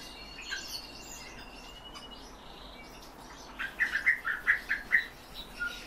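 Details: Captive European bee-eaters giving a series of six short rolling trilled calls in quick succession in the second half, after a quiet stretch with faint high chirps.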